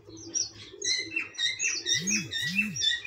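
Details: Cockatiels chirp in quick, clear harmonic notes, while two low, arching coo-like sounds rise and fall in the background midway through.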